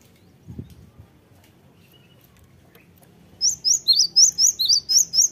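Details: Cinereous tit lure song meant to provoke other birds into answering: after three seconds of near silence comes a brisk string of about nine high, clipped chirps, roughly four each second.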